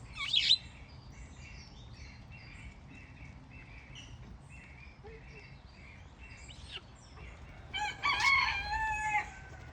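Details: Grey-headed swamphens kept in aviculture, parents still feeding well-grown youngsters that can fend for themselves: a long run of soft, repeated nasal chattering notes, then a louder, harsh, harmonic squawking burst near the end, over low background hum.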